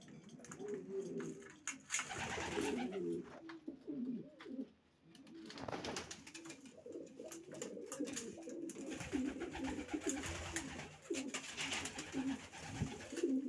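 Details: A loft of racing pigeons keeps up steady low coos, overlapping warbles mixed with wing flutters and rustling noise.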